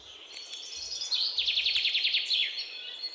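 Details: Great tit song: a brisk, evenly spaced run of high, slightly descending notes over about a second and a half, with other birds faint in the background.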